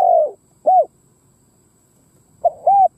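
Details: Decoy Spotted dove cooing to provoke wild doves. A low hoarse coo fades away. A single arched coo follows, then a long pause, then a clipped note leading into another arched coo.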